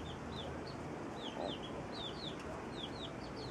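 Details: Chicks with their mother hen, feeding together while she cares for them: high, thin downward-sliding peeps repeated several times a second throughout, over a steady background hiss.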